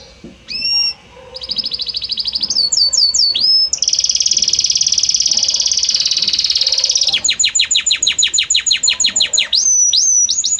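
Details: Belgian canary song evolving from note to note: upswept notes, a buzzy trill, a long loud rolling trill, then a rapid series of descending chirps and rising whistles.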